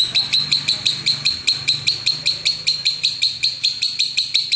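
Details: Lovebird master recording for contest training: evenly repeated ringing, squeaky notes, about two and a half per second, with a faint low hum underneath.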